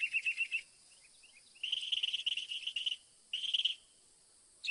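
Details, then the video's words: Northern mockingbird delivering varied phrases: a quick stuttering trill, a few soft scattered notes, a longer rich warbling phrase, then a shorter burst, with pauses between them. "AUDIO SINSONTE O CENZONTLE CANTANDO"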